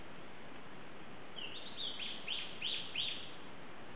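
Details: Lawrence's thrush in Yasuni, Ecuador, gives a brisk run of about six short, high chirping notes, roughly three a second, over a steady background hiss.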